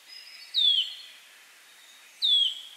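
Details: Warbler singing its mating twitter, meant to prepare for mating: two sharp, high, downslurred whistles about two seconds apart, each opened by a brief clear note, over faint hiss.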